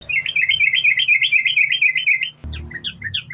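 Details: Yellow-vented bulbul in vigorous sambung ropel style, used as a lure to get other bulbuls singing: a fast, unbroken chatter of bubbly warbled notes for over two seconds. A brief thump follows, then looser separate notes over a steady low hum.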